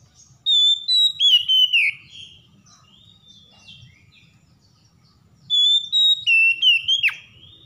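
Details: A stressed Oriental magpie-robin provoked into full song: two strong phrases of high held whistles stepping downward with quick slurred flourishes, separated by a few seconds of quieter twittering.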